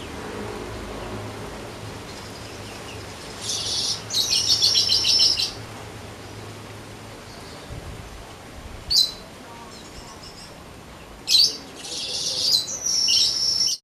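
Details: Young untrained weaver bird beginning to sing smoothly and often: several high, dry, buzzy sizzling bursts, some over a second long, separated by quiet gaps, with short sharp clicks in between and a faint low hum.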